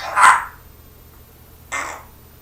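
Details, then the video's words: Pet parrot that talks and imitates its owner's coughing: a short harsh cough-like burst, a pause, then a second breathy hiss-like burst; indoor hum underneath. "Papagei spricht und hustet ♦ Parrot speaks and coughs"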